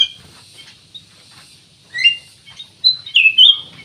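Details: Black-naped oriole, called kutilang emas or cucak emas, singing vigorously, used as a lure to prompt other birds to sing: loud whistled phrases sliding between high and mid pitch near the end, after a quiet start.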